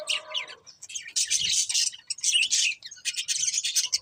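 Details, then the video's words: Breeding pair of budgerigars chirping in rapid bursts of bright, high chatter separated by brief pauses. "Colourful Budgies Chirping Sounds | Love Birds Breeding Pair"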